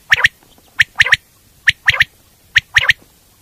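A quail repeats a sharp, liquid three-note call, quick-quick-quick, about once a second against a quiet background.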